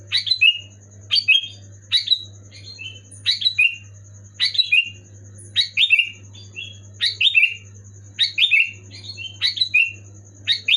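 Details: Loud, clear Sooty-headed bulbul song meant to trigger silent pet bulbuls: a long lively series of bubbly, slurred whistled phrases, nearly one per second, with a steady high whine and low electrical hum throughout.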